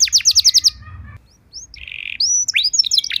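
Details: Canary trigger song for training caged singers: a quick bright trill, a short pause, then a flat buzzy note and scattered high whistles building into rapid chirps.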